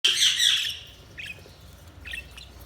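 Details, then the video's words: Budgies chirping: a loud burst of bright, high chattering notes at the start, then a few short, faint chirps after a pause. "Budgies Chirping sound"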